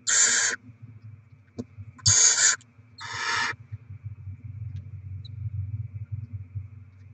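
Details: Barn owls during rodent deliveries and chick feeding, 7 February 2024: three harsh, broadband hissing screeches about half a second each, two close together then one more, over a low steady background hum.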